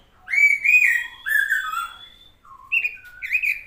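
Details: Robin singing a short sequence of clear, sweet whistled phrases, some gliding downward, with brief gaps between them.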